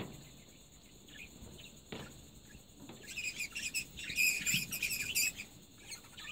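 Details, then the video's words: Pet budgerigars, described as crying and singing around mating and egg-laying, break after three quiet seconds into fast, high, chattering warbles with scratchy chirps and clicks over a steady high electrical whine. "Parrot Are crying and singing"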